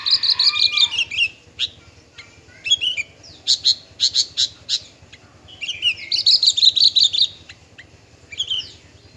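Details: Song of a male parva bushlark: lively bursts of chattering, warbled notes mixed with sharp single chips, delivered in quick bouts separated by brief gaps, over a faint low background hum.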